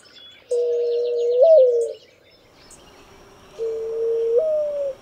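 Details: Two drawn-out coos from a Streptopelia dove about three seconds apart, each level and then stepping up briefly near the end; faint twittering of another bird overlaps the first.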